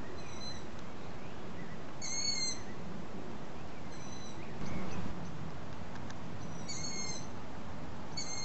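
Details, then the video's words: Long-eared owl fledglings begging for food from their parents late after sunset: piercing squeaky whistles at irregular intervals of one to three seconds, quieter distant squeaks in between, steady low-frequency rumble beneath. "Bedelende ransuilen"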